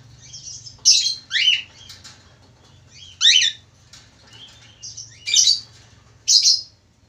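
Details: Male budgerigar singing actively, with six loud, sharp chirps, each a quick downward sweep, spaced unevenly about one second apart, with soft twittering between them and a faint low hum underneath.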